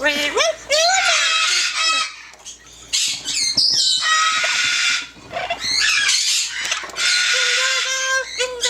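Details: Yellow-naped amazon kept as a pet, singing: held harmonic notes alternate with loud, broad raspy squawks and quick sliding syllables, several bursts over nine seconds.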